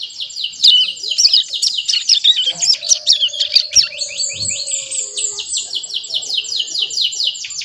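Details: Young mountain prinia aged over a month, practising its first song (ngeriwik): dense, fast high twitter of scratchy rising and falling notes, continuous throughout, with a faint lower tone midway.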